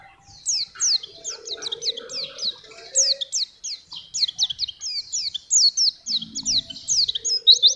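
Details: Oriental white-eye (pleci) in sustained vigorous song for training or luring wild birds: nearly continuous high, quick, downward-swooping whistles, densely packed, with occasional faint lower tones beneath.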